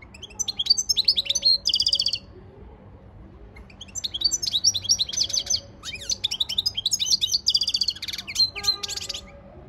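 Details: Training song of a European goldfinch, delivered as bright, fast chattering phrases of high tinkling notes mixed with short buzzy trills, broken by a quiet gap of about two seconds.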